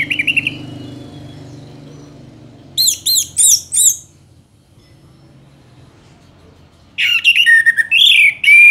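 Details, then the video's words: Orange-headed thrush singing in separated bursts: a brief whistle, then a run of four rapid buzzy notes, a long quiet stretch, and a closing cluster of varied warbled phrases. "Anis Merah GACOR Panjang"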